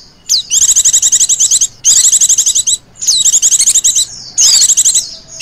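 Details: Female Oriental white-eye giving a continuous 'ngecir' chirring call used to lure birds: four high, rapid buzzy trilled bursts of about a second each, some opening with a sharp down-slurred note, separated by brief pauses.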